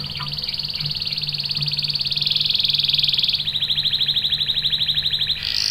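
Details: Canary singing a long rolling lure song meant to get other canaries singing; a sustained, finely pulsed buzzy trill runs almost throughout, over a noisy background hum.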